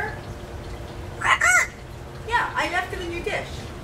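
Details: Pet parrot that lives free-flying in an indoor aviary, held in a cage while brought out, talking: two short bursts of speech-like syllables with harmonic, slightly wavering tones, the second burst broken into several quick syllables, over a quiet room hum.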